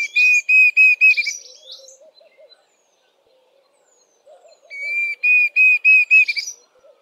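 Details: A Diederik cuckoo sings its plaintive "dee-Diederik" song, two bursts of five or six clear, high whistled notes, fast and even, with faint chatter from other birds in between.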